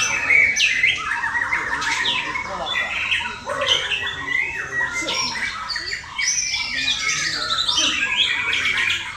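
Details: A male white-rumped shama, prepared for song contests, gives a dense, unbroken stream of loud whistles, rapid slurred notes and harsh chattering phrases.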